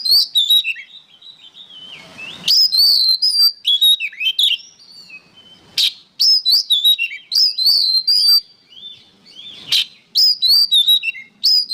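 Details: Training song of an oriental magpie-robin, locally kacer, for songbirds: dense loud bursts of high whistles, harsh chips and rapid warbling, repeated in phrases a few seconds long separated by short quieter spells.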